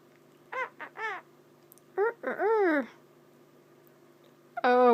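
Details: A pet male monk parakeet, prompted by his owner, gives harsh, rising-and-falling squawks, mimicking a chicken and a rooster, his favourite noises.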